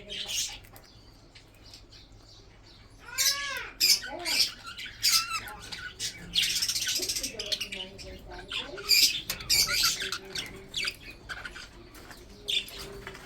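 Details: Budgerigars in a breeding group, eating food, make sharp squawks and sliding whistled notes between bursts of busy chatter after a quiet opening.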